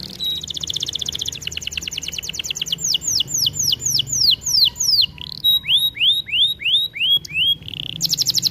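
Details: Canary song used for training a singing canary: fast buzzy trills, then a series of loud downward-sweeping whistled notes repeated about three per second, ending in a rapid high trill.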